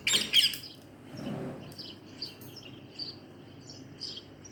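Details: A rescued, uncaged pet Rose-ringed parakeet gives two loud, harsh chirps, then quieter high twitters scattered over the next few seconds against a low indoor hum.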